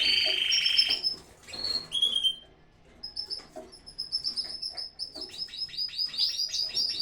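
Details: Canaries in a home aviary during the breeding season: overlapping high, bright chirps and short buzzy trills, a loud burst of warbling at the start, then rapid repeated notes, several birds calling together.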